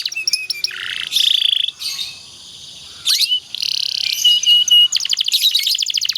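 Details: Canary song used as a master to teach other canaries: buzzy drawn-out notes and short whistles, a quick rising sweep, then a fast high trill closing the phrase.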